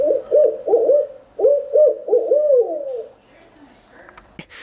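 A Barred Owl gives a rhythmic run of low, throaty hoots, about eight in three seconds, ending in a drawn-out falling hoot; a faint click follows.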